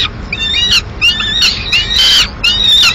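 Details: Peregrine falcon at a nest in Madrid in mid-morning, as the female arrives with the remains of a pigeon; drawn-out, wailing harmonic calls, each under a second, repeated with short gaps.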